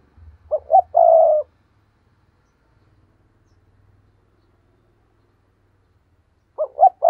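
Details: Spotted dove coo played as a lure for wild doves. One complete phrase of two brief notes and a longer low coo, then silence. A second phrase begins at the very end.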